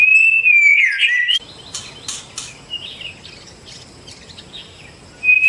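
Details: White-rumped shama of the Medan type, a kept contest songbird: a loud, clear whistled phrase sliding and warbling around a steady pitch for over a second, then faint scattered chirps and hiss, before a final loud whistle.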